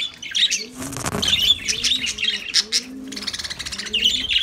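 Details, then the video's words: Lovebirds singing with rapid, shrill twitters and squeaks. Several low dove coos sound alongside. "Lovebirds Sounds Lovebirds Singing"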